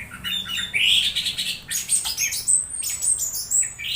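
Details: Orange-headed thrush (anis merah) making strange sounds while being conditioned: a dense, continuous run of high squeaky chirps, slurred whistles and harsh notes, rising and falling rapidly with no pauses.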